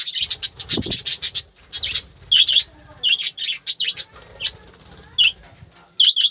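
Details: Budgerigars in a morning aviary give a busy stream of high, raspy chirps and squeaky notes, first crowded together, then spaced into short clusters, with light rustling underneath.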